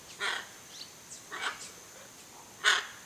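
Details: Hyacinth macaw pair visiting a backyard in Brazil to feed on palm coconuts, one eating a Macaúba palm coconut; three harsh, broadband squawks spaced over three seconds, the last loudest, with faint softer calls between.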